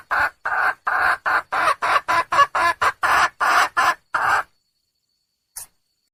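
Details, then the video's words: Wild hen red junglefowl calling for a mate, giving about fourteen rapid, raspy, clucking notes over four seconds, then silence with one faint click. "le bruit d'une poule sauvage,เสียงไก่ป่าร้องหาถู่หาตัวผู้,ສຽງໄກ່ປ່າຮ້ອງຫາຄູ່ຮັກ, poj qaib qus see"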